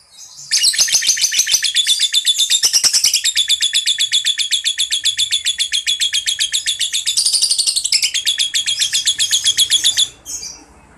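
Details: Lovebird in long ngekek chattering, played to make young lovebirds respond: a continuous, very fast trill of shrill buzzy pulses lasting about nine seconds, steady with a slight lift midway, ending abruptly.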